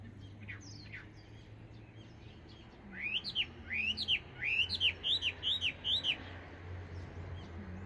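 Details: Chinese hwamei, a non-native bird, singing from birch trees in sunshine: after faint distant notes, a sudden burst of loud, rich whistled phrases with rising and falling slurs, repeated rapidly for about three seconds, steady low hum beneath.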